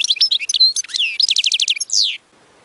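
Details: A European goldfinch, its song played to teach chicks, sings a fast, tinkling jumble of twitters, then a rapid trill of repeated notes and a falling buzzy ending.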